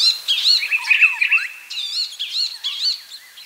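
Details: Palestine sunbird singing a rapid, tumbling twitter of high, looping, warbled notes, with quick chirps following one another almost without pause.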